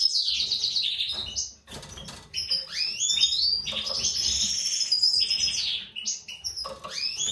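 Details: Breeding pair of European goldfinches, a white-throated mutation male and a classic female: a rapid, tinkling stream of high twittering notes, liquid trills and buzzy slurs, with scarcely a pause.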